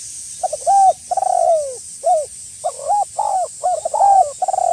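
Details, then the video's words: Lure call of a tekukur (spotted dove) to draw a rival: a dense string of low, mellow coos, some long and downslurred, others short and clipped, with steady background hiss. "SUARA BURUNG TEKUKUR GACOR MEMANGGIL LAWAN AGAR BUNYI"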